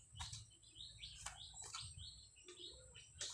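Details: Caged red-whiskered bulbul kept as a decoy bird, recorded 30 April 2025: faint, quick high chirps, each sliding up or down, given in a loose series over low background rumble, with a few sharp clicks.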